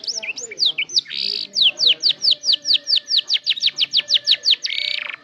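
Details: Canary starting to learn its song for a lure recording: scattered chirps and a buzzy burst, then a regular train of sharp falling whistles, ending in another rasping buzz.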